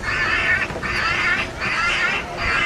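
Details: Eurasian magpie distress call played back at Manchester Airport, UK, during a heatwave, to draw birds for dispersal with bird-scare cartridges: four harsh, rasping screeches of about half a second each, separated by brief pauses.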